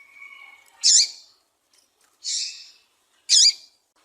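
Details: Double-collared seedeater (papa-capim) female call: three short, high, twisting chip notes about a second apart after a faint thin whistle, used to stimulate males to sing.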